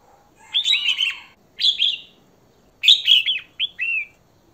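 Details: Female red-whiskered bulbul calling to stimulate and attract a male: three bursts of bright, warbled, slurred notes around the upper-middle range, each under a second, with a short gap before the later double phrase.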